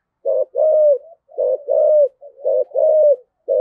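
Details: Decoy spotted dove, 'giọng thổ' style, giving 'gáy gọi hai hậu' calling coos: three low two-part phrases, a short coo then a long even one, repeated about every 1.1 seconds, a fourth just beginning.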